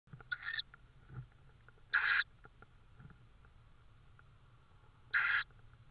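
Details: Tawny owl in Estonia on 5 May 2013 at 22:36, with prey; three short, harsh, hoarse screeching calls, each about a quarter second long, spaced a few seconds apart, over faint ticking and a low background hum.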